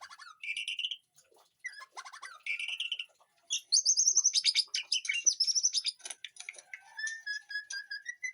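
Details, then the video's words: White-rumped shama in a home garden aviary, delivering a mix of short whistled phrases and dense harsh chattering notes. A longer rising whistle comes near the end. "Aviary murai batu di kebun belakang rumahku"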